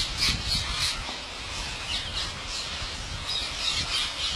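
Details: Wild parrots by the thousands taking food from an Indian farmer at his house; harsh overlapping squawks pour out steadily from the crowded flock, with a faint low hum underneath.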